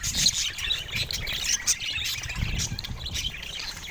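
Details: Several budgerigars chattering. Sharp high chirps and raspy squeaks come in quick irregular bursts, with a brief low thud near the middle.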